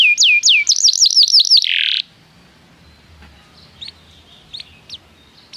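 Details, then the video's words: Canary song, meant to coax other canaries into singing: two seconds of quick falling whistles and a short buzzy trill, then quiet, with a few faint, high, isolated chirps. "PANCINGAN JITU SUARA BURUNG KENARI"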